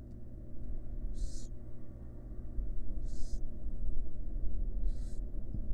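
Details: Barn owl family in a wild nest box, the mother resting next to her young; three short rasping hiss bursts spaced roughly two seconds apart, with a constant low hum in the background.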